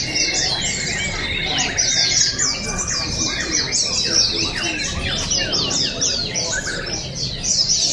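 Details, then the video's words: Several oriental white-eyes competing at the 2023 Balingian open singing contest in Sarawak pour out continuous high, chattering trills in overlapping bursts, with a thin steady whistle underneath and murmuring people. "Juara Pleci | Pertandingan Seni Suara dan Gaya Burung Terbuka Sarawak Pesta Bederun Balingian 2023"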